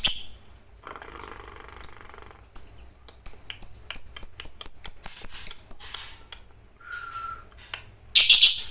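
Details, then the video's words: Fighter-type lovebird singing intensely, recorded as training material for other lovebirds: a run of sharp, high chirps repeated quickly in a burst, then a short whistle and a harsh shrill note at the end. A faint low hum sits underneath. "MASTERAN LOVEBIRD FIGHTER GACOR || TES MENTAL BURUNG LOVEBIRD ANDA AGAR IKUT BUNYI !!!"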